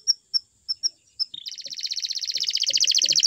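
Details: Canary starts with spaced single high chips, then a short buzz, leading into a quick steady trill that grows louder and faster.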